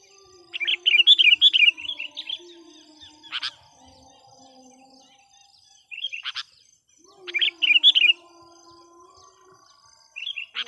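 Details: Sooty-headed bulbul used as a lure (pikat) for wild birds, giving short bursts of quick, warbling chatter with sharp clicks in between. Phrases are repeated after gaps of several seconds.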